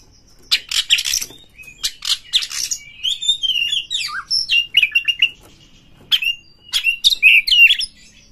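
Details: Oriental magpie-robin song played to provoke rival birds. It opens with rapid scratchy harsh bursts, then shifts into a fast run of varied twisting whistles and trills before a short pause and more mixed phrases.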